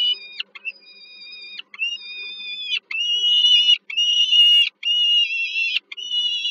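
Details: Peregrine falcon young fed by their mother at dinner on 15 July 2022, Żerań heat plant, Warsaw, Poland, give a run of whining begging calls, quick broken notes growing louder and longer toward the end.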